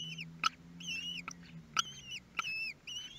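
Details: Common kestrel nestlings at their first meal, 23 May 2022, Théding: thin, high whistled notes that slur upward and then level off, several overlapping, with sharp clicks about every half second to second and a low hum beneath.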